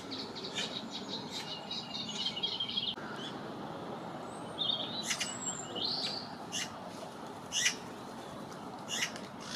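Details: Young Eurasian magpie begging and fluttering its wings in vain after its parent, given a peanut, left it to find its own food; harsh, rasping bursts repeat at irregular intervals over a steady background hiss.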